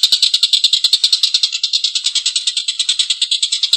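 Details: A collared kingfisher calling vigorously with a long, coarse laughing chatter. The grating notes are rapid and repeated at a steady, slightly uneven rhythm, about three each second.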